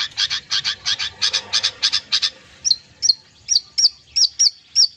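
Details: Long-tailed shrike (cendet) song meant as therapy for mute birds: a run of about a dozen harsh chattering notes, then a series of sharp, high, downslurred whistles repeated roughly twice per second.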